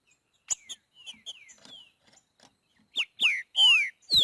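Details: Green-winged saltator in nature giving its boiadeiro song: a few soft falling whistles and sharp clicks, then four loud, rich, down-slurred whistled notes in quick succession.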